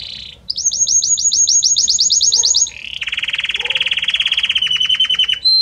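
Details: Varied Belgian canary song moving note by note: a rapid run of high upswept chirps, then a lower, steady, fast trill with a brief whistle at the close.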